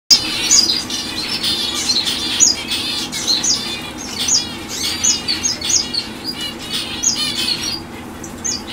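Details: A fawn zebra finch hen calls with short, high, nasal chirps repeated in quick, overlapping bursts.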